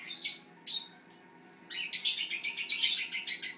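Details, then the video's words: One chirpy Fischer's lovebird calling while its siblings watch. Two sharp, high squeaky chirps come first, then a pause, then a long unbroken run of fast, shrill twittering chatter. "Very chirpy fiacher's lovebird"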